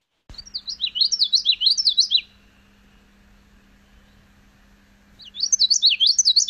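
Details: Common Yellowthroat, a warbler of edge habitats in eastern North America, singing a rollicking, high 'witchety-witchety-witchety' phrase of about two seconds, repeated after a pause; faint steady hum beneath.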